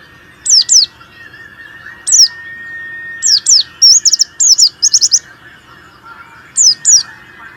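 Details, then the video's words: Warbling white-eye in vigorous song, used to stimulate reluctant white-eyes to sing: high, thin paired notes sliding downward, coming in short bursts, with one quick run of rapid buzzy trilled notes in the middle and a faint steady hum behind. "terapi pleci malas bunyi,pancingan pleci kurang emosi"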